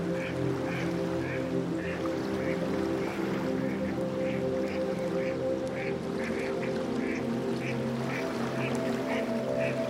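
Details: Cape shoveler at Vermont Salt Pan, Western Cape, South Africa, giving short, nasal quacking notes about twice a second, over a steady low droning music bed.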